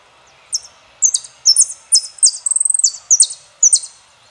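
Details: Saffron finch song in the style called El peregrino: high, sharp chirped notes in quick groups, broken midway by a short rapid trill of even pulses, then more clipped chirps, over faint steady hiss.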